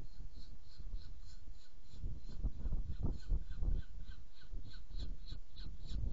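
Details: Feeding Saker falcon, Hungary, 7 May 2017: harsh, nasal notes repeated rhythmically several times a second for the whole stretch. Constant low wind-like rumble underneath.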